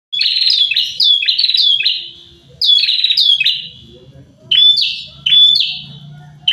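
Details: A pair of prinias singing actively, with bursts of loud, buzzy, down-slurred notes repeated three to five times in quick runs, separated by short pauses, over a low steady hum.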